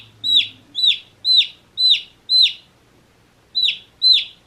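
A day-old chick peeps loudly: high, sharp, slightly falling notes about twice a second, a brief pause, then more peeps.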